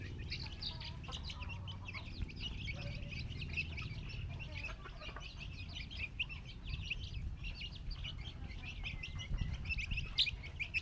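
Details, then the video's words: Chicks making happy noises as they find worms; continuous overlapping high, short chirps from several birds, with a few lower clucks and steady low background rumble. "Chicks making happy noise on finding worms"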